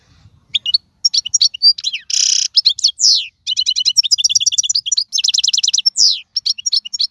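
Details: Strong-voiced wild goldfinch, 2022 season: opens with scattered chirps, then a harsh buzzy burst, followed by swift metallic trills and descending slurred whistles in a lively, continuous stream.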